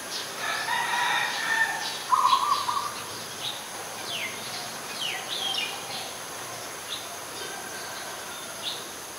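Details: Adult zebra dove at Ubon Ratchathani, Thailand, on 21 September 2022, giving one quick burst of pulsed cooing notes amid a busy background of higher chirps and twitters from other birds.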